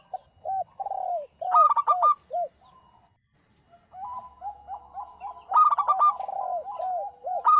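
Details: Zebra dove, local type, singing persistently to attract others: looping arched coos repeated in quick series, broken by two bursts of rapid stuttering notes, with a short quiet pause midway.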